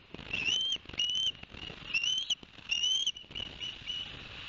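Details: High rising whistles from Ospreys at a nest in Barnegat Light, New Jersey, 11 September 2021, after two fish were delivered to the young: four or five drawn-out upslurred notes, then quieter fading calls.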